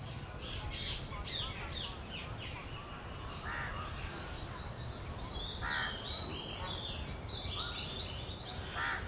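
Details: Indian house crow (kauwa) tending its nest with chicks: feeding them, clearing droppings and maintaining the nest. Several harsh, hoarse caws at scattered intervals, under a constant background of high, thin chirping from other small birds.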